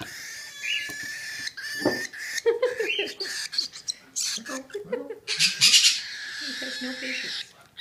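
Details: Baby cockatiel chick being hand-fed, giving harsh, raspy, broadband begging rasps in rapid bursts, mixed with a woman's coaxing speech throughout.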